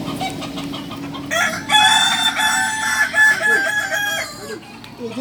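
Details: Kukuak Balenggek rooster at a Sunday crowing practice in Ampangkualo. After quieter background crowing, it delivers a loud, sustained crow of level stepped tones lasting about three seconds, ending in softer trailing notes.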